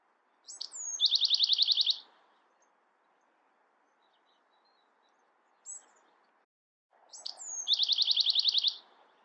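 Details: Bewick's wren repeating its song: introductory notes, a thin falling whistle and a fast, buzzy trill, with a brief faint note between two full phrases spaced about six seconds apart.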